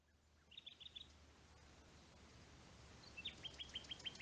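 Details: Common nightingale singing in the pine woods of the Rodeno protected landscape, Sierra de Albarracín, Teruel: a short burst of high repeated notes, a pause, then a rapid series of about eight sharp, evenly spaced notes.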